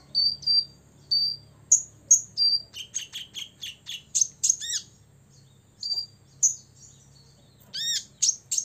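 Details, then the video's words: Olive-backed sunbird, six years old, in ngobra song meant to rile rivals: clear high whistled notes, then a quick run of sharp chips and a couple of downward-swept squeaky notes. "kolibri ninja ngobra 100% bikin lawan EMOSI"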